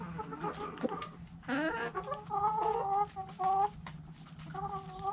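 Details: Hens clucking in a backyard coop: drawn-out, tonal, slightly rising clucks and cackles repeated through the clip, with rustling and a steady low hum.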